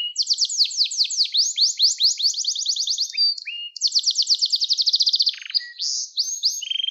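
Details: Gloster canary singing in a recording used to stimulate and teach young canaries: bright, rapid rolling trills of high descending notes, a short buzzy break, then further trills and a few sharp chirps at the end.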